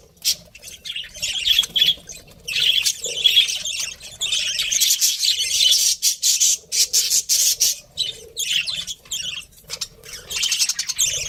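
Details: Budgerigar breeding pair kept as pets, chirping steadily: dense, scratchy high warbling chatter running throughout, broken by short pauses and a few sharper squawky notes.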